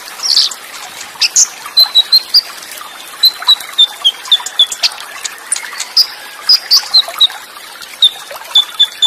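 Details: Olive-backed sunbird (konin) singing in Cililin style with quick rolls and short gaps, water running behind: thin, high whistled notes strung in short sequences, mixed with sharp ticking chirps repeating in regular bursts.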